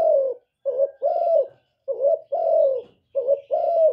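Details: Spotted dove song of paired mellow coos, a quick wavering note then a sustained slightly falling one, repeated steadily about once per second. Nothing else is audible.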